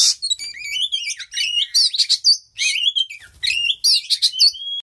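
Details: Mating oriental magpie-robin in full song: bright whistled notes, sliding rising and falling phrases and quick chirps in bursts, with a short gap near the midpoint.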